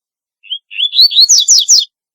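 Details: Double-collared seedeater singing an unusual, distinctive song: a short whistled note, then a run of clear rising phrases climbing into fast, bright, repeated whistled slurs, all within under two seconds.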